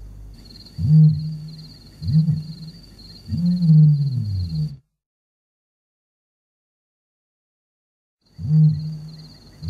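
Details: Common ostrich in Kruger National Park giving deep booming calls: three low, humming booms in quick succession, a long silence, then another boom begins; a steady faint high tone runs above them.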